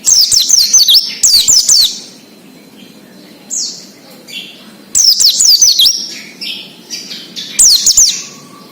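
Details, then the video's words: Wild Oriental white-eye song used to coax untrained captive birds into singing: two quick bursts of high twittering whistles, softer calls in between, then two more loud rapid phrases. "PLECI NGALAS UNTUK PANCINGAN BUNYI PLECI BAHAN / OMBYOKAN"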